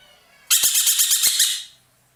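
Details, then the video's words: Single loud, rasping chatter of about a second from an ekek keling roller, a caged Indonesian master bird, built of nine or ten quick throbbing pulses, with two sharp clicks partway through. "burung ekek Keling gacor nembak"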